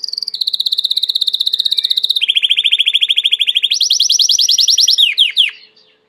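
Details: Song of a domestic Belgian canary: a long, steady, rattling trill that drops to a lower rolling tour, jumps back up to a bright fast roll, then ends with a few sharp descending slurs.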